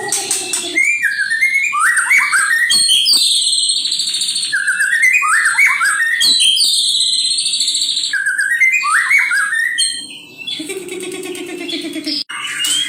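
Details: Male white-rumped shama in aggressive song: loud varied whistled phrases with rising and falling slurs, buzzy high notes and rapid trills, repeated in bursts with brief gaps.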